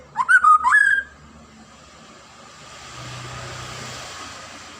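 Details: White-rumped shama (murai batu) giving a short, loud whistled phrase of slurred notes that rise and fall, lasting under a second, followed by quiet background hiss and a faint low rumble.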